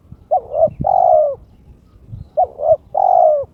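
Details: Spotted Dove (terkukur) in breeding condition calls to challenge a rival: a low, mellow coo phrase twice, a quick double note then a longer drawn-out coo, repeated about every two seconds.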